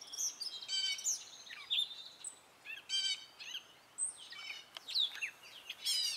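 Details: Male gray catbird singing in spring, a varied series of short notes that often imitate other birds and sounds: squeaky slurs, chattering bursts and mewing phrases in quick succession, each spaced with brief pauses, over quiet background.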